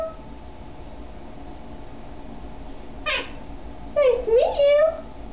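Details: A male pet monk parakeet gives a sharp falling squawk, then hoarse, voice-like syllables mimicking human speech such as "good boy" and "give me a kiss", in an otherwise quiet room.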